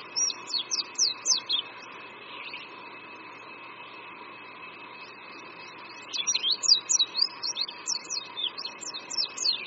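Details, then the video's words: Oriental white-eye on a creekside branch at Qingdao University, Shandong, China, in spring: two bursts of rapid high slurred twittering, about two seconds each, split by a long quiet gap of soft background hiss. "Oriental White-eye Singing"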